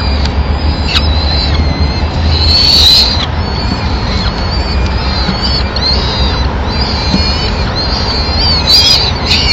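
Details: Peregrine falcon at a nest in Madrid, 27 April 2016, as the female comes in looking for scraps to feed her chicks; sharp high-pitched notes come in irregular series over constant deep background noise.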